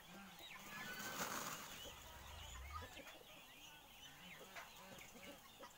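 A male wild turkey courting: soft clucks and chirps over a deep low rumble, with other small birds chirping in the background.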